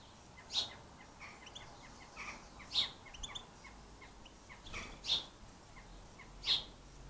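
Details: European goldfinches at bird feeders in Ireland, eating sunflower hearts; short, sharp high notes ring out roughly every two seconds over faint, steady background chirping.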